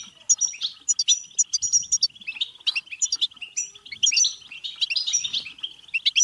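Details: European goldfinch delivering batbata song to stimulate goldfinches to sing and mate: busy liquid twittering with repeated sharp high pips and a wheezy, buzzy passage near the end.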